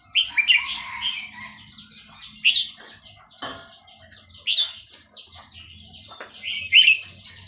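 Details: Burmese-type red-whiskered bulbul from Dan Singkhon delivering repeated short warbled phrases, each opening with a loud rising-falling whistle, about every two seconds, with fainter chatter between and a low hum underneath.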